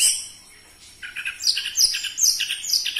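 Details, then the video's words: Orange-headed thrush singing as a lure for captive birds: a quick series of loud, high, chattering and whistled notes in short bursts after a brief quiet start. "Pancingan Burung Anis Merah Cepat Teler Suara Kenceng"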